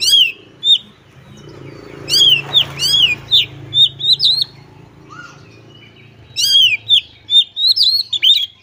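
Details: White-rumped shama (kacer) singing in gacor style with mimicked phrases: loud, ringing whistled phrases with sharp downslurred and upslurred notes, a short burst, a pause of several seconds, then a fast varied run of notes, over a low background hum.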